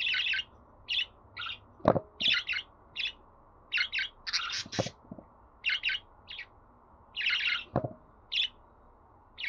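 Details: Budgerigar delivering rapid bursts of sharp chirps and rasping notes, several grouped close together, with occasional low thuds and a constant background hum.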